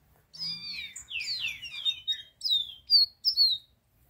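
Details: Green-winged saltator song of clear, warbled whistles, sliding and descending notes strung together, then a few separate, sharper whistled notes at the end.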